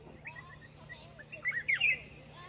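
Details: Black-crested bulbul singing: a short burst of bright, whistled notes near the end, rising and falling quickly in a brief warbled phrase, after a few softer scattered chirps, over a low steady hum.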